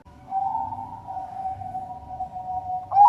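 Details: Zebra dove of the Bangkok type from a bird farm in Sidoarjo, East Java, Indonesia: a soft, steady mid-pitched coo held for about two and a half seconds, ending in a sudden brighter, higher note.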